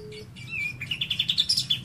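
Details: Lovebird with cililin-style fill: a brief sequence of clear, rising chirps speeding into about ten quick notes, over soft low background noise.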